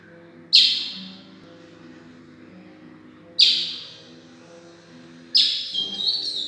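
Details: Young captive-bred chestnut-bellied seed finch giving three harsh, high, fading bursts about every two and a half seconds as it practises its song, over a low steady hum.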